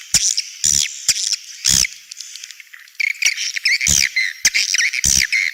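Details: Edible-nest swiftlet outer sound (เสียงนอก), connected with swiftlet nest houses: bright downslurred chirps and squeaky twitters, punctuated by loud harsh bursts about once a second.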